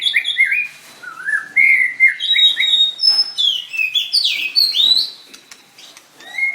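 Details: White-rumped shama in a bird singing contest, singing energetically: rich, varied whistled phrases rising and falling, fluty notes climbing higher through the sequence, delivered rapidly with short pauses.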